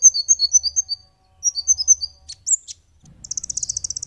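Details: Olive-backed sunbird song used as training and lure material: rapid high thin trills in bursts, a short upslurred whistle, then a fast buzzy chattering run near the end.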